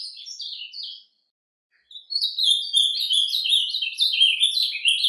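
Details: An ultramarine grosbeak in nature gives its quiet surdina song: a short burst of falling whistles, a pause of about a second, then a dense, quick flow of sliding high notes.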